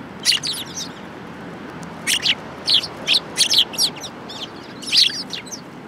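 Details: Sparrows crowding at food at a Tenmangu shrine on 22 January 2018; lively, overlapping high chirps in quick groups, a dense burst around the middle and another near the end.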